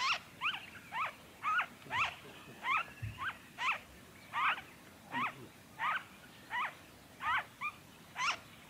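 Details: A noisy friarbird in Victoria, Australia, in February 2023 gives a steady run of about thirteen harsh, nasal, clipped notes, roughly one every two-thirds of a second, over faint hiss.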